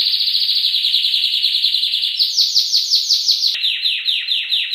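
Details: Canary delivering masteran-style song: a dense rapid trill gives way to loud, sweeping notes repeated steadily, then a lower series of similar swooping notes with a bright, ringing quality.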